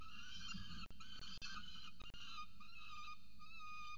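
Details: Peregrine falcons, a chick and its mother, at a nest in Orange, Australia, filmed by nest camera: harsh, rich, wavering wails run almost continuously, cut by a few sharp knocks, with steady hum beneath.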